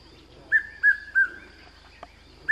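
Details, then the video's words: Red-chested Cuckoo (Piet-my-vrou) at Pafuri, Kruger National Park, gives three loud whistled notes, each a little lower than the last, then repeats the phrase over a steady high insect-like whine and low hum. "Red-chested Cuckoo call / sound - Piet My Vrou"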